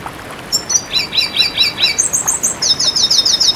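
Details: High twittering from a red siskin: one bright note, a string of five quick falling slurs, then a sparkling rapid series of very high repeated chips, over quiet background noise.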